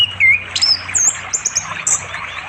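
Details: Orange-headed thrush in East Java forest, calling the female near a flowing river in the afternoon; brief, very high, thin whistled and trilled notes in a short sequence over river noise.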